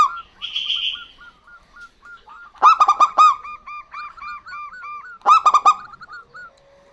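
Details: Female and male local zebra doves answering one another: a brief buzzy note, then soft hooked notes broken by two loud rapid rattling bursts of clipped notes, with higher looping notes in between.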